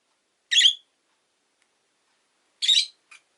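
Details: Rosy-faced lovebird letting out two piercing, harsh screeches about two seconds apart, with a brief faint buzz right after the second.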